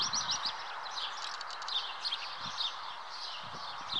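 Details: Common house martins (Delichon urbicum) at the nest chatter in rapid, high, scratchy twitters almost without pause, with occasional soft low knocks in the background.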